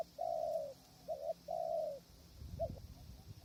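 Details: Spotted dove decoy at a krajom trap, windy conditions, wild birds distant; two long soft coos separated by a short double note, ending in a brief coo as a low rumbling noise rises.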